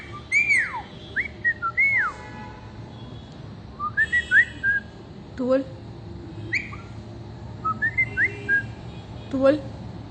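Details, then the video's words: Parrot at home producing varied whistled phrases: quick up-and-down slurred whistles in short clusters, several sharp rising notes and brief harsher calls, spaced irregularly across the recording with steady low room noise. "Talking Parrot"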